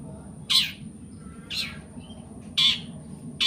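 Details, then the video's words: Long-tailed shrike giving a 'toet toet' song that links imitations of prenjak, sparrow, petir and kunti calls: four sharp, high chirps spaced about one second apart, with a faint steady high hum behind. "CENDET TOET TOET SAMBUNG PRENJAK GREJA PETIR SAMBUNG KUNTI"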